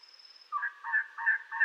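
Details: Elegant trogon from southeastern Arizona giving four evenly spaced, coarse, resonant croaking notes following a thin high whistle from another bird; the notes repeat about three times a second.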